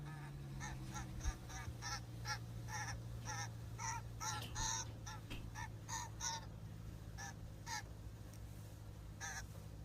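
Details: Common grackle in a backyard in Ontario, Canada, giving a long series of harsh, scratchy chack notes, roughly two to three a second, over a steady low hum.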